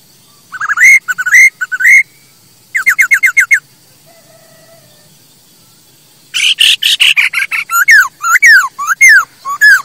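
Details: Masked laughingthrush song used to prompt and train other birds: paired rising whistles, a fast burst of short clipped notes, a quiet gap, then a dense harsh chattering outburst breaking into loud swooping whistled phrases.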